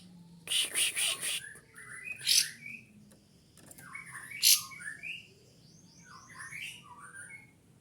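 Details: Loud caged kapas tembak white-eye, worked up and seeking a rival: a pulsed rattling burst opens, then a stream of short slurred high chirps and twitters, with sharp knocks between them.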